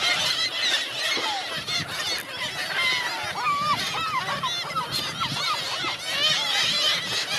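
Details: Crowd of hungry seagulls at Helløya in 2017; clear series of looping, bouncy yelps in mid-clip stand out from a dense background of overlapping squealing calls and rustling noise.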